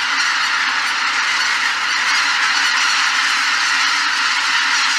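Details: Flock of greater white-fronted geese taking off at Shishibana, Izunuma, Japan, on 3 November 2023, recorded with an R5 camera and RF16mm lens: a dense, continuous chorus of overlapping honking and yelping calls with no pauses.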